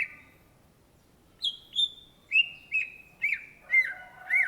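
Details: Greater green leafbird song in the gacor style: a short whistle, a pause, then spaced, ringing whistled notes starting high and stepping lower, with overlapping mellow warbles near the end.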